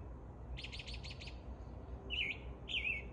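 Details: An American robin sings its spring morning song: a quick run of five bright, chattering notes, then two short slurred whistled phrases in a clear caroling style, over a low steady rumble.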